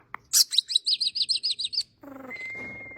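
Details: Starling song: a fast string of about ten sharp, downward-slurred metallic notes, then a lower buzzy rattle overlaid by one long, steady thin whistle.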